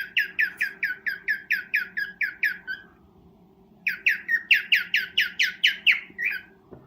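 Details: Breeding cockatiel giving its mating call: rapid, evenly spaced raspy chirps for about three seconds, a one-second gap, then a louder, slightly rising run of chirps over a low background hum.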